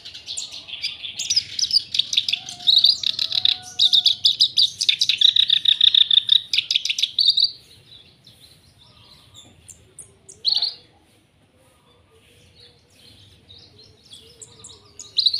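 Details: Black-browed reed warbler, singing energetically with high and low notes, delivers a seven-second run of rapid, rattling, repeated buzzy notes, then falls mostly silent apart from a single sharp note near ten seconds and another at the end.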